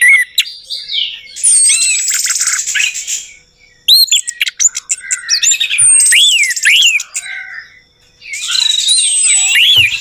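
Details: Orange-headed thrush song intended as a lure for a silent bird: bursts of looping whistles mixed with harsh buzzy rattles and a thin high whistle, separated by short quiet gaps.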